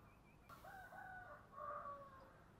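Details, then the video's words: Spotted dove, giọng thổ song style: a distant series of smooth, low coos in two short groups, with steady background hiss. "cu gáy giọng thổ"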